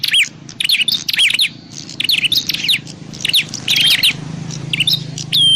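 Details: Prinia calling, recorded for luring birds into traps: busy, high chirping in quick groups, some notes curling downward, ending on a clear, level whistle.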